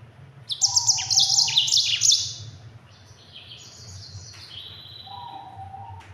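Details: Yellow-fronted canary (Mozambique) used as a tutor for training other birds, singing a quick, tightly packed rolling song. A loud burst of high buzzy trills and rapid sweeps gives way to softer, drawn-out whistled notes, with a constant low hum beneath.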